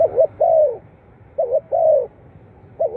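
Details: Spotted dove cooing, intended to stimulate captive birds. A drawn-out falling coo ends one phrase, then a full phrase of two quick notes and a long downslur, then the next phrase begins.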